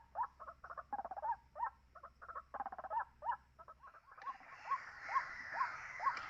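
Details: White-breasted waterhen calls, played as a lure recording for trapping: harsh, croaking bursts in a rapid uneven rhythm, then a run of short rising notes about every half second with a hiss behind.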